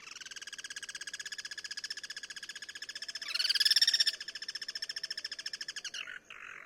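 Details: Free-living Guira cuckoos cross-singing: an unbroken stream of rapid, harsh, pulsed notes for six seconds, growing louder midway as a second bird overlaps, ending in a brief scratchy note.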